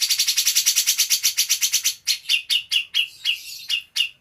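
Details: Green leafbird in a collaboration song featuring cucak jenggot material with harsh bursts: a rapid, even train of high sharp notes for two seconds, then slower louder slurred whistles repeated about every third of a second.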